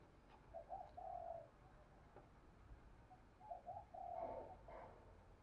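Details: Decoy spotted dove giving a provoking coo against a wild rival bird, in the thổ voice style. Two deep, soft cooing phrases, each with short lead notes and a longer rolling coo, separated by a pause, over faint background hiss.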